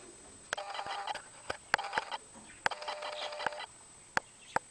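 Zebra finches give nasal, toy-trumpet beeps in quick bursts, with sharp clicks and taps between them and a faint high whine behind.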